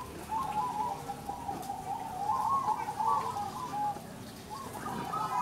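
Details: A zebra dove at a local perkutut singing contest in Windusari, Magelang, Central Java, Indonesia, gives soft, rolling, bubbly coos around a steady mid pitch over a faint background murmur.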